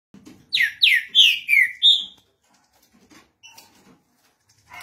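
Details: Green-winged saltator (trinca-ferro) singing: a burst of five loud, clear whistled notes, each sliding steeply downward, delivered rapidly over about one and a half seconds, then near silence with faint clicks.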